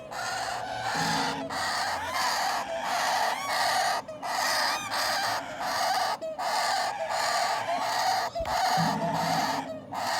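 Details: Parrot chicks begging while hand-fed give rapid, grating, stuttered calls in bursts separated by short regular breaks, with a low droning tone in the background.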